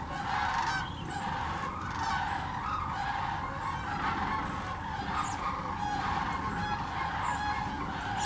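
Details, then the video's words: Thousands of sandhill cranes gathered at Hiwassee Wildlife Refuge in Birchwood, Tennessee on a 17-degree day; a continuous wall of overlapping rattling calls from the massed flock, with constant low background rumble. "Thousands of Sandhill Cranes visit East Tennessee"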